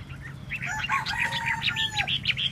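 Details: Chinese hwamei singing while tail-dancing: a fast, varied run of short whistled and slurred notes, some rising and some falling, with a few longer steady whistles in the middle, over a low constant hum.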